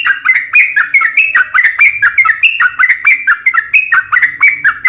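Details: Sooty-headed bulbul giving a long 'ropel' song to draw other bulbuls into singing: continuous bubbling whistled phrases, each note slurring up or down, delivered in a lively, uneven rhythm.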